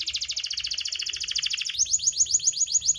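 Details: Lure song of a canary for birds that will not sing: a quick rolling trill for almost two seconds, then a shift to slower, clearly separated downward-sweeping whistled notes.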